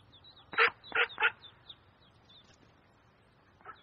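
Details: Duck at a pond where ducklings are present. Three loud, harsh quacks come in quick succession, followed by a softer one near the end. Thin, high peeping sounds continue throughout.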